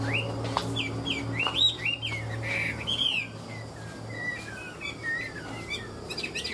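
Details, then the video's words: Caged tame Chinese hwamei singing ngũ trường: irregular slurred whistles and sweeping notes, some loud and bright, spaced unevenly over a low steady hum. "Họa mi ngũ trường"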